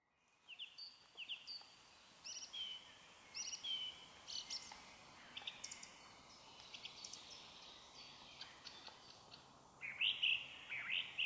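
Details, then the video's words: Song thrush in forest near Zarechny on the evening of 1 May 2023 sings short, varied whistled phrases about once a second, ending in a louder ringing burst, while other birds call softly behind over a steady hiss. "пение дрозда и др. в лесу"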